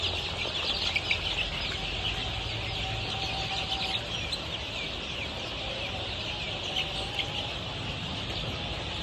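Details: Golden Misri chicks at 23 days old, kept on a poultry farm in Pakistan for sale, keep up a busy chorus of shrill, rapid peeps, many overlapping, with a faint low hum underneath.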